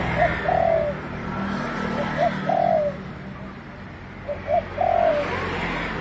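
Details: Spotted dove calling: two phrases, each made of short soft coos followed by a longer, drawn-out coo that slurs downward, about two seconds apart, over a steady low rumble of background noise.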